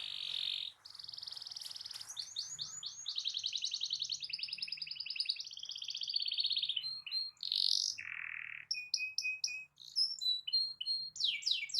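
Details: Canary singing a long, varied rolling song intended to stir other canaries into song: steady high trills change tempo and pitch, with a lower whistled note and clipped chirps, and a faint low hum behind.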